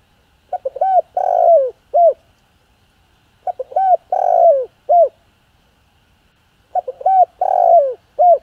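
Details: Spotted dove in the 'hạp bổi' voice, calling to rouse other doves. Three similar phrases are each spaced about three seconds apart. Each has quick short hoots, a long rough coo and a falling closing note. The background is quiet.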